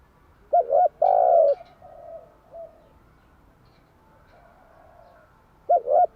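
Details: Spotted dove morning song, played to attract and train doves: a double clipped coo and a long smooth coo, then soft quieter coos, and a new phrase beginning near the end.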